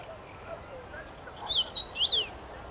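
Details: Common rosefinch singing from a tree, 23 May 2021, giving a single bright whistled phrase of four or five slurred up-and-down notes, ending in a higher swooping note; faint background birds.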